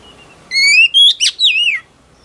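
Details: Wild-caught female oriental magpie-robin singing to rouse male birds. One rich phrase: a long upward-sweeping whistle, a steady high note, a quick sharp chip, then a wavering descending slur, against a quiet background.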